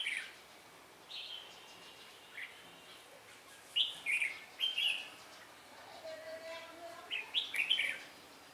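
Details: At Ba Thá, Vietnam, a red-whiskered bulbul sings during a trapping session on 17 December 2016, said to change its voice. Sparse bright phrases open the recording, and a run of quick, ringing, warbling notes follows in the second half.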